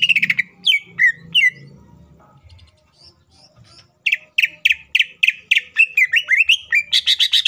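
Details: Green leafbird as a singing lure for others of its kind: slurred downward whistles, a brief lull, then a long rapid series of sharp repeated chips and twisting whistles building toward the end.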